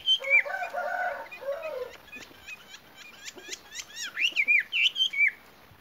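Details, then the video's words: Female Chinese hwamei, a kept bird, calling to lure males: harsh harmonic notes open the phrase, then a quick series of sharp ticks that run into loud, swooping whistled notes rising and falling near the end. "Em họa mi mái te dụ rất ok"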